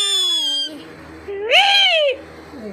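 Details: Pet parrot mimicking speech, the phrase "Allah Ho": a steady, buzzy, harmonic-rich voiced tone for about half a second, a pause, then a louder arched, nasal syllable that rises and falls, with faint background hum.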